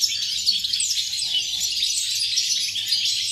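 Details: European goldfinch, 8.11.2018: a short burst of fast, bright twittering with quick sliding notes and sharp chirps packed closely together, over a faint hum.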